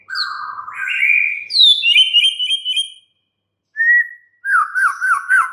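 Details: Varied white-rumped shama song: a low warbled whistle rising into a ringing high phrase, a pause, one clear whistle, then a rhythmic looping trill.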